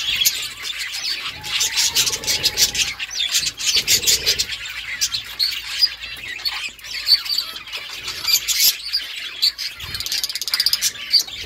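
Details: Continuous budgerigar chatter, a busy mix of high chirps and squeaks over a steady hiss, with a few low bumps and rustles in the background.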